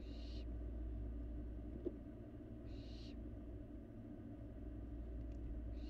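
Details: Fledgling barn owl in a Florida nest box, eating in the empty house on a live cam; two hoarse hissing screeches about three seconds apart, a single click between them, constant low rumble.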